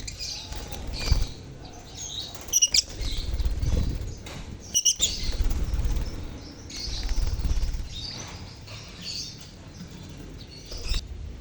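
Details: Lovebirds chirping as a colony, a lure for silent birds: high chirps and squeaks in waves, with repeated bursts of wing flapping and low thumping noise throughout.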